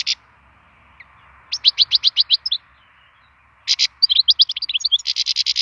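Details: Wild European goldfinch singing, used as song stimulation: bright bursts of rapid tinkling, twittering notes in quick series, two phrases separated by a short pause, with a faint low hum underneath.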